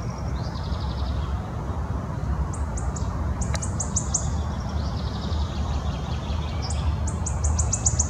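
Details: [['Wood warbler giving high ticking note series that accelerate toward trills, heard in three separate bursts against constant low-pitched background noise.']]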